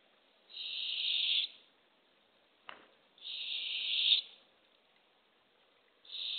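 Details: Barred owl at a nest box, early morning of April 27, 2024, a female bringing a baby opossum to hungry owlets. Three loud breathy screeches near a second each, with a sharp click between the first two.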